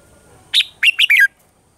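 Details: A single red-whiskered bulbul phrase from a morning-song training recording in the mature wild-style voice: one bright note, then three quick warbled notes dropping in pitch.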